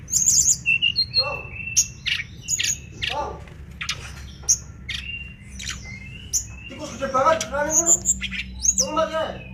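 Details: A mangrove blue flycatcher singing energetically for a songbird-training recording: varied high whistles, sharp chirps and quick trills, with a richer, lower chattering phrase near the end, over a steady low background hum.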